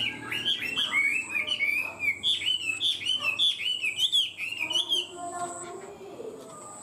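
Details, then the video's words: Chinese hwamei kept caged, said to sing high and elaborate and to start fast and steadily, repeats a bright looping whistled note in a quick rhythmic series, then trails into softer, lower twitters. "Chim họa mi hót cao cầu, ra mỏ nhanh ổn định"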